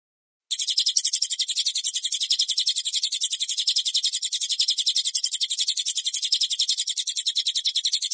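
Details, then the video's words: Cililin bird song, a clear master recording without ads for training birds; after a half-second pause, sharp high notes pulse rapidly at about four per second in a steady, unbroken series. "masteran suara burung cililin jernih tanpa iklan"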